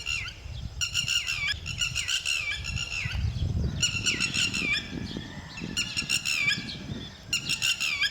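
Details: Lapwing, a bird whose male and female together defend their young, calling in loud, rapid, shrill bursts repeated several times over eight seconds, with rustling and low handling noise underneath.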